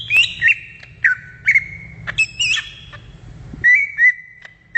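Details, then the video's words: Greater green leafbird in the wild, giving clear whistled notes: some held, some bending up or down. The notes come in short groups separated by gaps, with a soft low hum behind them. "SUARA ASLI CUCAK IJO DI ALAM LIAR"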